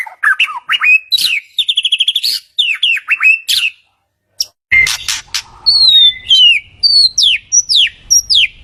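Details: White-rumped shama song used to make a quiet shama respond: varied clear whistles, a quick trill of even notes, a brief silence, then rising and falling whistled slurs over a low hum.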